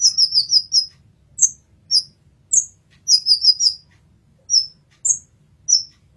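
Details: Brown-throated sunbird song as a masteran recording, opening with a rapid string of high descending chirps, then piercing single notes and another quick four-note burst, spaced irregularly; faint low hum.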